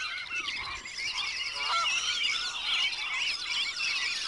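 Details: Wood ducks giving rapid, squeaky, rising calls, roughly two per second and irregular, layered over a constant chatter of thin whistled notes.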